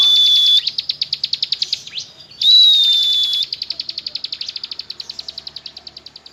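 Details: Ciblek gunung, the bar-winged prinia, in rapid 'nembak ngebren' song. A long, level high whistle runs alongside fast repeated sharp notes, pauses, returns, then fades into a gradually weakening drilling series.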